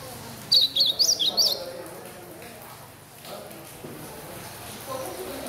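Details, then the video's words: Chestnut-bellied seedeater chick, bred in a domestic aviary, copying a blue-black grosbeak's song: one loud, rapid phrase of about eight high, sharp chirped notes lasting a second, then quiet with faint room noise. "FILHOTE DE GOLINHA BREJAL CANTANDO DE AZULÃO"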